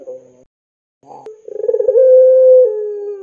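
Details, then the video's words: Lure call of a puter pelung dove for young doves: faint short notes, then a loud coo that opens with a quick series of pulses and holds a steady tone before stepping slightly lower. "SUARA PANCINGAN BURUNG PUTER PELUNG GACOR COCOK UNTUK MASTERAN PUTER MUDA"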